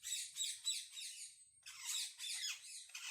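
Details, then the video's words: Several wild parrots squawking to communicate, dense grating screeches repeated rapidly and overlapping in two long bouts separated by a brief lull, harsh and loud throughout. "Unbelievable sounds of parrot -amazing wild parrot sounds"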